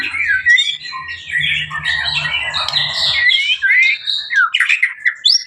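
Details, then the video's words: Blorok-type white-rumped shama pouring out a dense, continuous run of warbled and slurred notes with quick whistled flourishes, over a faint low hum during the first three seconds. "murai batu Blorok extreme"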